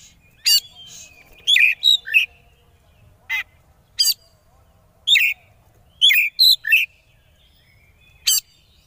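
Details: Oriental magpie-robin, locally kacer, in konslet song used as a lure for rival birds: scattered sharp rasping notes and looping whistles, grouped in twos and threes, with clear pauses between groups.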